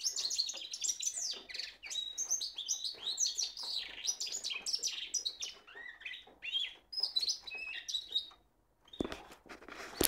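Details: Cock goldfinch mule pouring out continuous full song: a lively jumble of high twittering, slurred rising and falling chirps, a short silence, then a final rasping burst.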